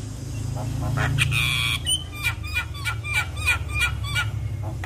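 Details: Javan myna song to set off other mynas: a harsh rasping note and brief whistle over steady low background hum, followed by a regular series of short upslurred chirps.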